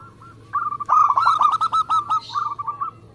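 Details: Local zebra dove from Indonesia delivering one energetic phrase of quick, rolling coos, about a dozen notes in two seconds, preceded and followed by faint softer cooing.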